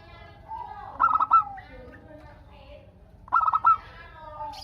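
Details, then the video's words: Lively local zebra dove singing to coax replies from other doves: two phrases of rapid, rhythmic coo pulses a couple of seconds apart, with quieter mellow notes in the gaps. "Perkutut Lokal Gacor Untuk pancingan kutut perkutut agar saling bunyi BERSAUTAN"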